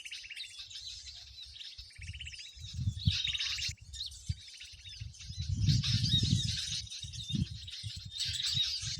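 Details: Trapping lure of a loud mixed bird crowd, drawing birds to lime sticks: rapid rattling trills and bright chirps in bursts with short pauses, accompanied by low thumps and rumbles.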